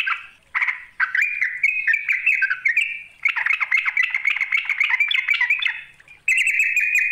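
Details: Yellow-vented bulbul calling out to a rival with a long, liquid, chattering phrase of rising and falling warbled notes, then a steady buzzy trill after a short pause.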